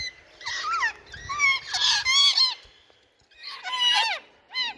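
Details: Pet Indian ringneck parrots giving loud, harsh, drawn-out squawks and wavering nasal screeches in bursts of about a second, with faint low background noise.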